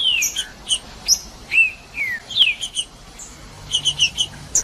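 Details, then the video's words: Green-winged saltator singing, played to warm up and stimulate other saltators: clear whistled notes sliding downward, mixed with short sharp high chirps in quick bursts. "TRINCA FERRO CANTANDO PARA ESQUENTAR TRINCA FERRO RÁPIDO"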